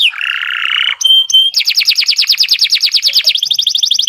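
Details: Caged Nusantara canary in long song for training other birds: a harsh buzzy phrase, two bright notes, then a fast even trill of rapidly repeated high chips, roughly three per second and quickening.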